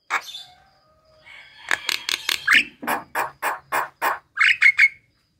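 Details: Javan myna song, used to stimulate other mynas to sing: a soft opening note and faint warble, then a string of loud harsh clucking notes, closing with three quick upslurred whistles.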